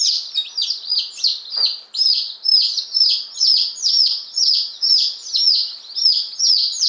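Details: Newly arrived day-old chicks of two crested breeds, Appenzeller Spitzhauben and White Crested Blue Polish, fifteen in all, recorded May 19 2015; shrill descending cheeps pour out steadily, several birds calling at once in a busy, unbroken stream.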